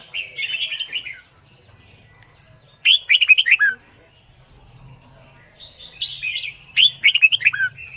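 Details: Red-whiskered bulbul song for training birds and for competition singing: rapid warbling phrases of rich chirps and slurred notes, delivered in bursts roughly every three seconds, with a soft low hum in the background.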